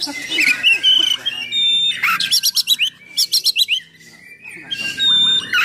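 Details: Oriental magpie-robin in heavy, full-throated song meant to provoke and train other magpie-robins: harsh scratchy phrases, thin pure whistles, and two rapid series of sharp falling notes, loud and varied.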